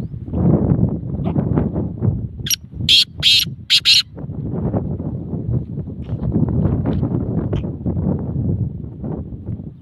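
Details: Black francolin (kala teetar) giving a short series of four harsh, loud, grating notes in quick succession midway through, set against steady low rustling and handling noise.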